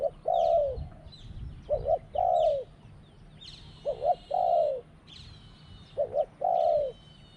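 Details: Spotted dove cooing in a dove-calling contest, in the style called a small voice with two 'kuk' notes then 'ku-ang': three phrases, each two short clipped coos followed by a longer drawn coo, roughly every two seconds, with faint high chirps behind.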